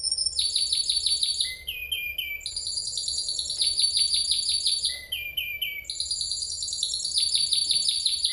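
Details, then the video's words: Spanish Timbrado canary in a long continuous song, cycling through rapid trills of repeated high notes, a lower rolling phrase and back again, unbroken for over eight seconds. "Burung Kenari Gacor Panjang, Kenari Spanish Timbrado"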